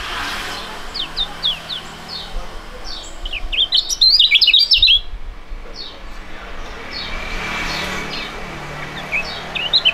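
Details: Pair of young Indonesian contest songbirds with a fighting style, duetting; scattered high, thin downslurred notes, then a dense, loud burst of rapid, tangled twittering halfway through, and sparse notes again afterward.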